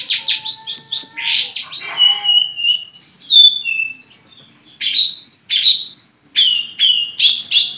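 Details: Long-tailed shrike kept as a pet bird, singing a varied sequence of sharp downslurred notes, clear whistled slides and scratchy chips, with brief gaps between phrases.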